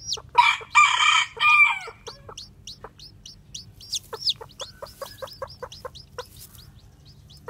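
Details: White black-tailed Japanese bantam chicks, newly hatched, moving about; a few loud, rough, broad calls open before a long string of thin high peeps sliding downward, fairly rapid and irregular.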